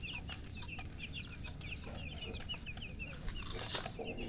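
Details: Newborn baby chickens chirping loudly, a steady stream of short, high, falling peeps repeated several times a second, with occasional knocks and low background rumble.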